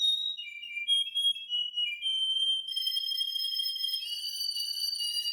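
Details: A Russian canary sings clear, high whistles that slide and glide, then settles into a long, bright, steady trill with ringing overtones; no other sounds intrude.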